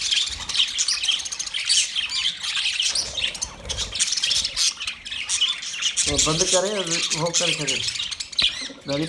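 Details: Caged budgerigars chirping: dense, overlapping high chatter and squawky twitters run continuously, with a lower, voice-like harmonic sound near the end.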